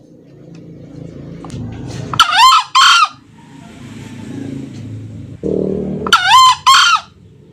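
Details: Male green junglefowl crowing, offered as a lure for trapping; two hoarse crows, each split into two harsh, harmonic-rich bursts, about four seconds apart over low rumbling background noise.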